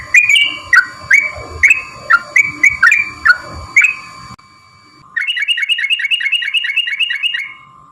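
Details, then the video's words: Sooty-headed bulbul lure sound: spaced falling chirps for four seconds, a short pause, then a fast even run of repeated sharp notes over a steady high tone. "pancingan trucuk malas bunyi"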